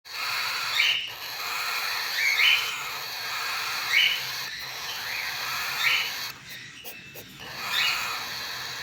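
Cockatiel chicks give raspy, harmonic begging calls repeated every second or so over a steady hiss.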